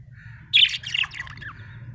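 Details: Short happy budgerigar outburst: a loud harsh squawk flowing into quick twittering, buzzy descending notes over a soft hum.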